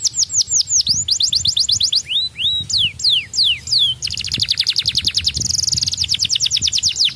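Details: Young canary's song: quick runs of high falling notes, several separate downward-swooping whistles, then a long rapid rolling trill of repeated notes.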